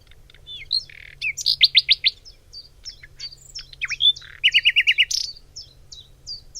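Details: In a spring forest near Cologne, Germany, a Nightingale sings varied phrases: a series of five loud repeated notes, swooping whistles, then another rapid run of about seven even notes, with crisp chirps between.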